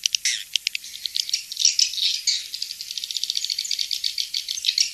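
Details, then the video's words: Swiftlet sound called King's Star: a fast, rattling series of sharp high clicks and chirps that speeds into a dry, even trill toward the end. "Suara Walet King'S Star"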